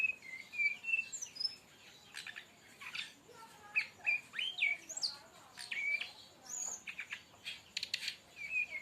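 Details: Brown-chested jungle flycatcher lure song: short clear whistled notes, several slurred downward, alternating with sharp high chips and buzzy bursts in a lively, irregular sequence.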